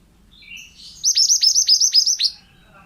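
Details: A single lively phrase from a pied bushchat: a soft lead-in, then seven evenly spaced, sharply falling high whistles in just over a second. Used as a training recording for other birds.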